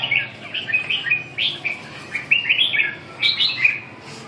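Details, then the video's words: Red-whiskered bulbul singing a run of quick, liquid, chirpy whistled notes in clustered phrases, some rising sharply, with brief pauses between groups and faint background hum. "Kênh về chim Chào mào"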